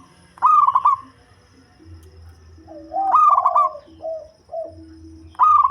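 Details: A deep-voiced local zebra dove used as a lure, giving repeated loud rippling, stuttered coo bursts, one followed by short lower coos, with quiet gaps between phrases.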